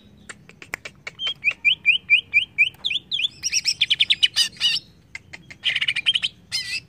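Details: Agitating lure of greater green leafbird song: a quick series of repeated upward-flicking whistles about five per second, followed by dense rasping chatter and a wavering trilled ending.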